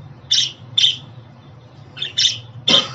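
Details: Budgerigar giving a few buzzy chirps, mostly in doubles, followed by a harsher, broader squawk at the end.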